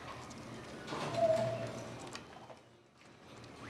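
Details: A solitary tinamou (Tinamus solitarius), filmed in Brazil in 2004, gives one short, pure whistle on a steady mid pitch, held about half a second, over soft background noise and faint clatter.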